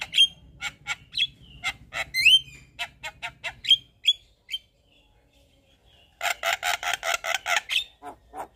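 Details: Javan myna with white eyes in full, nonstop song with mimicry fills: rapid clicks and upswept whistles, a brief pause, then a dense burst of loud, regularly repeated harsh chattering notes.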